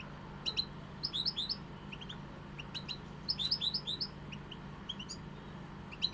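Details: European goldfinch song: lively, tinkling twitters of quick, high, slurred notes in clustered phrases, two denser flourishes about two seconds apart, against a faint low hum.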